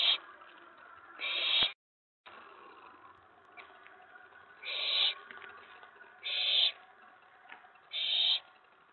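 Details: Owlet in a nest box around 11 PM, 19 May 2017, excited as an owl sits on the tray; harsh, breathy screeches of about half a second recur every second or so, with a brief silent gap.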